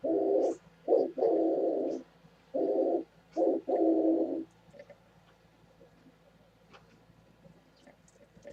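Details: Oriental turtle dove on 27 January 2017 giving a burst of low, hoarse coos, short and long notes alternating, then falling silent while faint high chirps of other birds continue.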